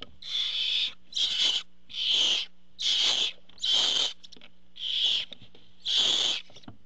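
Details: Barn owls at a nest as the male arrives bringing food give harsh, breathy hisses, seven drawn-out rasping bursts about one per second, with short quiet gaps between them.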